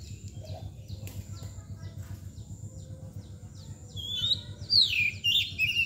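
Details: Oriental magpie-robin (kacer), described as in mbagong and nangkur display, singing a burst of sharp, sliding whistles and twangy notes late in the clip after quieter chirps, over a steady low hum.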